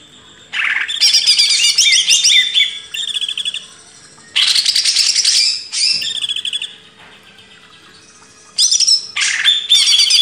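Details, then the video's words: For training cage birds, a Greater green leafbird master recording: three long outbursts of loud, fast, high-pitched warbling and chatter, separated by quiet pauses of about a second or two. "MASTERAN CUCAK IJO // LANGSUNG GACOR"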